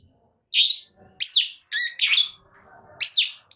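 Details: Long-tailed shrike, suddenly agitated and singing vigorously: loud, scratchy downslurred notes and a harsh buzzy phrase, irregularly spaced, high-pitched, with faint low background noise.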